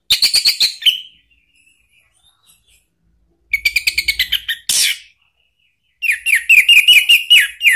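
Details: Ngeplong-style lure song of an orange-headed thrush, meant to prompt a caged bird to reply: fast repeated clipped whistles in quick series, a harsh rasping note, then a run of rising and falling slurred whistles.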